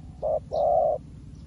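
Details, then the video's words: Spotted dove, a new decoy, calling wild doves: a short coo followed by a longer, deep, hollow one, loud and close. "លលកថ្មីមែន តែធ្វើហៅព្រៃដូចធ្នាក់ចាស់"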